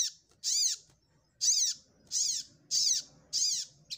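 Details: Sogok ontong, or ruby-cheeked sunbird, singing while looking for a rival: a run of five loud, rasping high bursts repeated roughly once a second, each arched in pitch, with a faint low murmur underneath.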